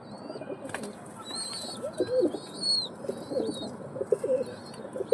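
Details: Soft, guttural pigeon coos rising and falling in short rolling bursts, accompanied by clear, thin whistled chirps from smaller birds overhead.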